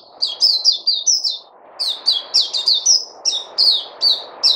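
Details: White-eye called Puteh, 29 August 2020: bursts of high sliding chirps, a short gap, then a longer string of strong, evenly spaced tweets with a low rushing noise underneath.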